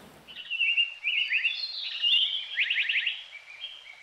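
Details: A Japanese (Black) Paradise Flycatcher, an endangered summer breeder on Jeju Island, Korea, gives high, buzzy chattering notes with a quick burst of sharp down-slurred chips in the middle over about four seconds, with faint hiss.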